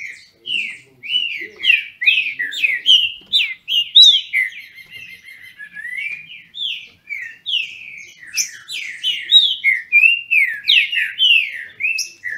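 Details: Captive green-winged saltators (trinca-ferro) from a licensed amateur breeder in Brazil sing against each other in a contest. A continuous stream of loud, slurred whistled notes sweeps mostly downward, overlapping and jumbled across the whole stretch.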